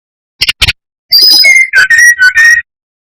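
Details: Brown-chested jungle flycatcher song used as a lure to provoke rival birds: two short clicks, then a run of clear whistled phrases starting high and sliding down into steady lower whistles.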